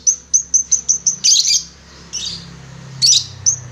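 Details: Long-tailed shrike tutor song for kept birds: a row of short, high whistled notes evenly spaced, broken by harsh, scratchy bursts, then a pause and another rasp before a final whistle.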